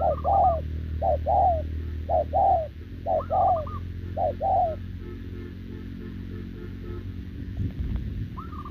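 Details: Spotted dove, a wild-caught short-legged bird, cooing to a decoy on 6 November 2024. Short-long coo pairs, overlapped by higher rolling trills, fill the first five seconds. Low music and rumbling noise then take over, with one more trill near the end.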